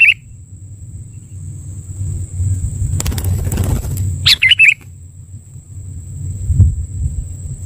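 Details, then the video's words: Sooty-headed bulbul lure call for trapping: a brief note at the start, then a noisy burst like flapping wings, followed by a chattering three-note phrase, over a low rumble and steady high whine. "Suara Pikat Kutilang"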